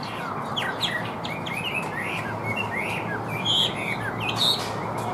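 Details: Caged Chinese hwamei, said to sing well with an even voice, giving short scattered whistled slurs and a few brighter high notes over steady background hiss.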